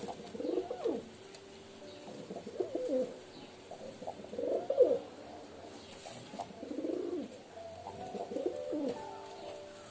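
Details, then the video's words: Pigeons giving soft rolling coos, five or six warbled phrases spread across the recording, each rising then falling, with faint background hiss. "Pigeon Sound 🦅 কবুতরের ডাক"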